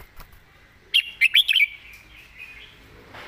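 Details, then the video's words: Red-whiskered bulbul giving a 'master song' phrase with fine phrasing: four sharp, chirpy whistled notes in quick succession, then a faint, drawn-out warbling tail before the clip ends. "นกกรงหัวจุก"เพลงแม่บท เดินสำนวนสวย"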